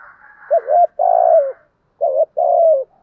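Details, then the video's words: Spotted dove kept as a decoy, cooing in repeated pairs: a bent short note followed by a long mellow, slightly falling coo, the pair given twice in quick succession. "Tiếng chim cu gáy bài bản thúc gù bảo đảm bổi nghe gáy liền, chim cu gáy mồi đảo bài liên tục"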